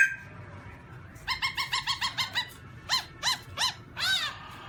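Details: Black-throated laughingthrush in 2017: a steady whistle opens, then a fast run of about eight short, evenly spaced notes, followed by four louder arched notes at a slower pace.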